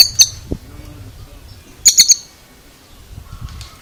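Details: Oriental magpie-robin (kacer) with an odd call: a single sharp high click, then a rapid triple burst of harsh high notes, followed by faint quieter sounds.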